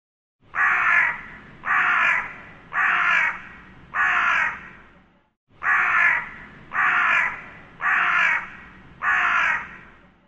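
A crow gives harsh, hoarse caws in two bouts of four, each caw about a second long at a steady, unhurried pace, with nothing else audible.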